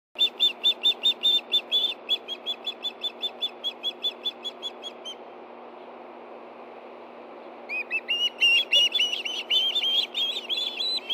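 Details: Two osprey chicks at a nest in Hellgate Canyon, Montana, on 9 September 2013 at 7:39 p.m., food calling as one gets a fish. Rapid series of high, shrill piping notes, a pause, then a second burst of overlapping whistles.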